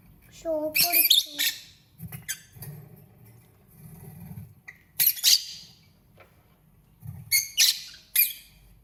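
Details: Lovebird singing and chirping: short descending tonal notes, then repeated harsh high chattering bursts in groups spread across the clip, separated by quiet gaps with low background rumble.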